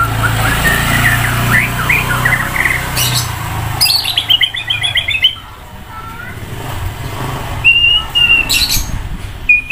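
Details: Roadside white-rumped shama out for a sunbath, singing loudly with many sound variations: a quick run of chattering notes, then a rapid descending trill and clear drawn whistles, over low rumbling background noise that fades midway.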